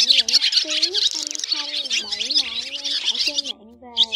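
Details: Swiftlet/white-bellied swallow lure recording meant to call flocks to roost: dense, high twittering chirps from many birds run almost continuously, with a lower, sliding voice-like tone beneath them.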